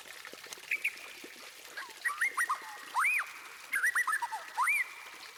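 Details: White-rumped shama song meant to make other birds sing: scattered clear whistled notes, rising and looping, in small groups over a steady hiss of background noise.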